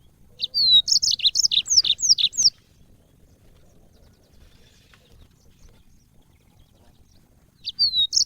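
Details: Bright, fast song of a caged yellow-fronted canary, recorded as training audio: two seconds of high chirps and downslurred whistles about three per second, a long quiet gap, then the phrase starting again.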